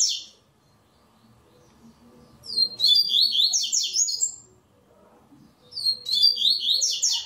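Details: Tournament double-collared seedeater delivering repeated song phrases: a tail end, then a full run of fast descending slurred whistles, and another strophe beginning after a pause; soft low background rumble.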